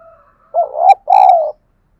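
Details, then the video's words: Spotted dove giving a fight-provoking coo meant to make wild and decoy doves call back: a faint low tone, then two strong mellow coo notes in quick succession, the second longer and gently falling, with small clicky sounds between them. "Tiếng chim cu gáy thúc đấu cực đỉnh mở lên bổi và mồi gáy theo xuất ngày"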